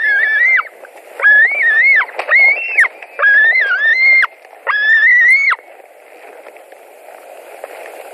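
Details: White-tailed eagles at a nest in Latvia on 16 July 2020, mid-morning, as a parent brings fish: five drawn-out whistled notes, each under a second and ending in a sharp downward slide, with short gaps between them.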